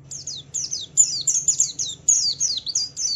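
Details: White-eye song in the ngalas style, used as a lure to provoke other white-eyes into singing: quick, high, downslurred chirps in tight bursts, each burst of several notes separated by brief pauses, over a faint low hum.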